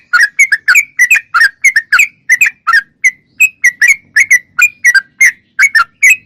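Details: Steady series of short whistled and slurred notes from a sooty-headed bulbul, spaced regularly and often paired, some rising and some falling. The recording is clear, with no other sounds.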